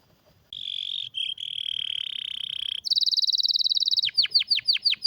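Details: Strong, rare canary song used as a master for training: a long steady trill, then a higher rapid rolling trill, ending in a series of sweeping downward whistled notes repeated about every third of a second.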